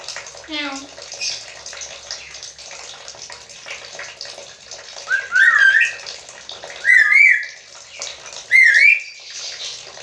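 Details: Black-capped lory, said to talk like a human, giving several clear whistled phrases that rise and twist, spaced about every one to two seconds, over a steady rushing water-like background hiss.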